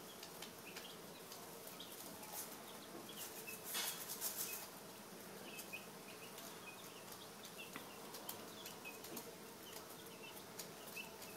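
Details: American Dominique chicks, ten days old, recorded 4/21/10: soft, short high peeps scattered through the recording over a steady hiss, with a brief rustling or flapping burst near the middle.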